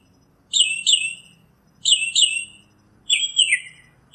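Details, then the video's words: A northern mockingbird sings in nature, giving paired slurred notes twice, then a changed phrase with a high whistle and descending trill, each burst about 1.3 seconds apart. "Birds Singing - Northern Mockingbird"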